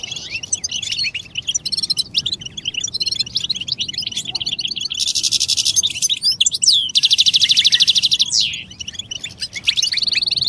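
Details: European goldfinch calls meant to encourage males out of silence, described as mating and readiness calls: a continuous stream of quick high tweets, with two strong buzzy rattles and a final sustained buzz.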